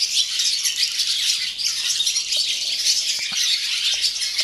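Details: Barn swallows give their morning song at a swallow farm in Gelselaar, Netherlands: a dense twittering chorus of high chattering notes and dry buzzy rattles that overlap without a break.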